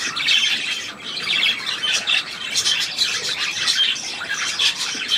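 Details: Loud budgerigar chatter from 3 April 2017: harsh squawks and buzzy chirps tumble over one another, with a brief dip near one second before the noisy warbling resumes.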